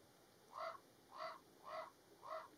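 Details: Common raven parents upset by a nearby vehicle at their nest of nestlings, Alberta, Canada, May 2022: four harsh, hoarse croaking caws spaced about half a second apart, each short and even in loudness.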